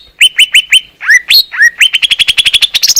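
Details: Wild greater green leafbird in Indonesia giving clear masteran song: four evenly spaced whistled notes, then two swooping upslurred whistles, and a fast run of sharp repeated chips speeding up at the end.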